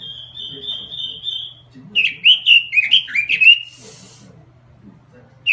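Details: Robin in lively song: an even, slightly wavering whistle held over a second, then a quick string of warbled, downward-slurring notes before a brief hiss and silence.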